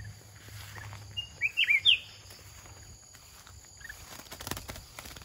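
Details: Caged red-whiskered bulbul used as a decoy bird, described as a large wild bird with a big voice and a fierce, fast-paced singing style; one brief, quick phrase of four slurred, warbled notes, then background noise and rustling.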